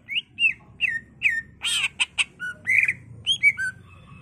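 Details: Cucak ijo, the greater green leafbird, in energetic lure song: rising whistled notes followed by a harsh rasping burst, clicking chips, a squealing slur and varied whistles at changing pitches.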